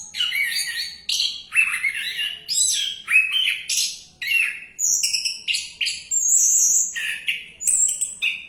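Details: Orange-headed thrush singing on while bathing. It gives a rich, varied run of loud whistled and warbled phrases, each under a second and separated by brief gaps. Some phrases slide downward and others are sharp, high notes.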